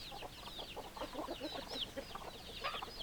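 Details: Crowd of chickens with hens clucking: quick clucks under a layer of high, slurred chirps, loud and continuous from many birds.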